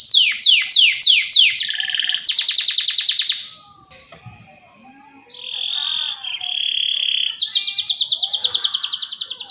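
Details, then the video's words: Canary song used as a lure for training young canaries to learn sounds, with long energetic chirping: rapid descending whistled sweeps, then a fast buzzy trill, a brief lull, a steady high whistle and another rapid trill. "PANCINGAN Kenari GACOR PANJANG Cuit CUIT EMOSI ini AMPUH utk MASTERAN Kenari PAUD belajar BUNYI"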